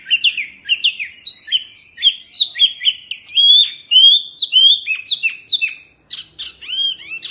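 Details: Oriental white-eye (wambi mini) delivering energetic tutoring song: a continuous, varied stream of high, slurred chirps and warbled whistles, a brief pause, then sharp sweeping notes at the end.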